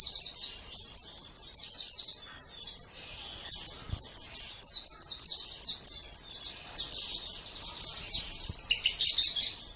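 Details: Caged white-eye used as a master recording for training songbirds, singing a long rapid chatter of high, sharply modulated chirps and trills in dense bursts with brief pauses.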